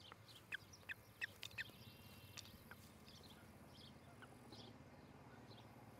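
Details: Osprey at a nest near Charlo, Montana, where a pair is building a new nest and courting in July; four short, sharp, high chirps in quick succession near the start, with faint further notes and steady rural background noise.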